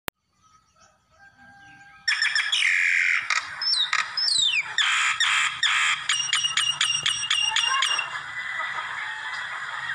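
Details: Common myna calling. After two quiet seconds a loud burst begins: short clicks, upward and downward whistled slurs, and a run of sharp repeated notes, with a steady chattering wash underneath until the end.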